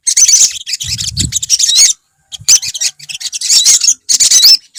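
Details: Olive-backed sunbird colony: bursts of bright, high, tinkling chirps and quick upward-slurred notes come in clusters with short silent gaps, plus a brief low rumble early on.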